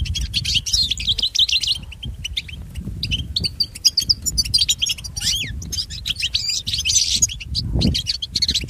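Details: European goldfinch song meant to train pet goldfinches. Quick bursts of high chirps and twitters are broken by short pauses, with some rising and falling slurred notes near the middle. Steady low background rumble.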